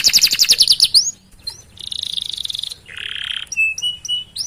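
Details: Canary singing a rolling 'gacor' song meant to prompt other canaries: a quick run of bright whistles, a buzzy nasal stretch, a lower harsh buzz, then thin, flat whistles and an upward sweep.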